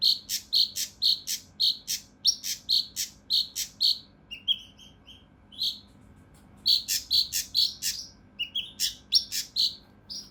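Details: Mountain leaf warbler (cucak rante mas) singing coarse, tightly packed 'tembakan' shots, used as a master recording for training competition birds: runs of sharp, high, piercing notes about twice a second, a brief pause, then more rapid notes mixed with lower slurred whistles.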